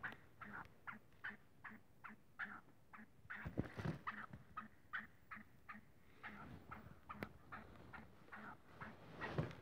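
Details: Black francolin, locally kala teetar, shown playful, uttering a long run of clipped clucks roughly two or three per second, a few louder bursts and a brief knock midway, with light background noise.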